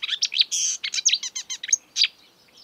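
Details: Marsh warbler in the wild delivering a dense, hurried burst of varied high song, with buzzy chattering notes, a sustained harsh note, quick repeated slurred elements and thin whistles that fade out.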